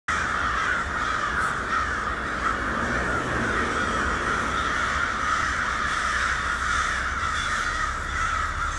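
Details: A dense, unbroken chorus of many American crows, a swarm cawing harshly over one another, with a low background rumble, on 10 September 2019 in Lawrence, Massachusetts, as the crows have just started returning to their winter roost area.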